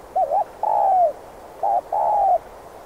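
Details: Two spotted dove coo phrases from a trapping lure recording: a bouncing double note, then a long, smooth coo that drops in pitch, repeated after about a second, with soft hiss beneath.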